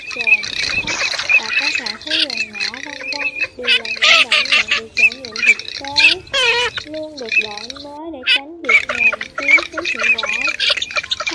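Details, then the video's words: White-browed crake lure recording for night net-trapping of migratory birds, August 2023: nasal, squeaky chattering calls in rapid, overlapping bursts with wavering pitch, repeated throughout over a faint high hiss. "Tiếng Mồng Két Mày Trắng"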